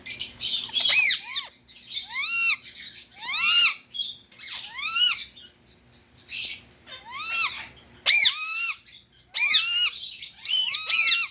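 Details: Pet Indian ringneck parakeet giving loud, harsh screeches, each arching up and then sliding down into a falling tail, repeated roughly every one to one and a half seconds with short gaps between them.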